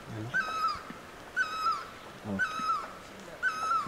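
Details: A barbet beside the road between Pelling and Gangtok, Sikkim, repeats a clear, mid-pitched note about once a second, each slurring slightly downward with bright overtones; faint low murmurs underneath.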